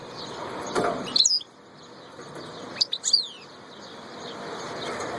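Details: Goldfinch, locally the royal mqnin: two brief clusters of sharp, high, twittering notes about two seconds apart, each a rapid tinkling flurry, with steady background hiss, a faint thud early on and a persistent high tone.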